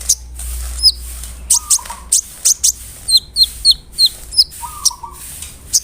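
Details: Lure recording of a big-bodied, actively singing brown-throated sunbird, used to make other sunbirds more agitated: sharp, high, piercing chirps repeated in irregular bursts, with a few downslurred notes and a steady low-pitched whistled tone twice.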